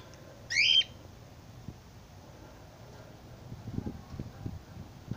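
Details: Cockatiels feeding on seeds in a field; one gives a short, harsh, rising screech, followed by quiet background rustling.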